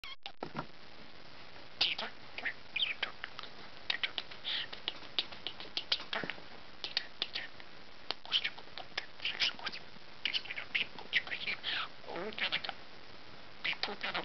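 A budgerigar chatters in quick, scratchy chirps and clicks, with bright squeaky notes coming in uneven bursts.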